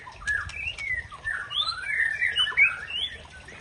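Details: White-rumped shama of the Aceh type singing to provoke a rival: a rich run of clear whistled phrases, sliding and looping between low and high notes, with quick bright flourishes near the end and a faint low background hum.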